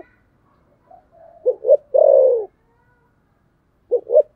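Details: Spotted dove giving a fighting coo, 'thổ sấm gù' style: soft lead-in notes, two short rising coos and a long sliding descending coo, then two more short notes starting the next phrase.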